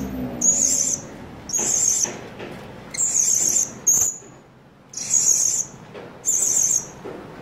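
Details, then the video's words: Blue-crowned hanging parrot used as a trapping lure to call other birds in, not to fight or challenge them: six shrill, very high, trilled bursts, each about half a second, spaced roughly a second apart over low background hiss. "serindit naga"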